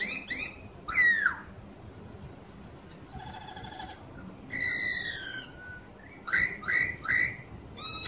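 Laughingthrush singing loud, rich whistled phrases with rising and falling notes and quick repeated chirps, pausing between bursts.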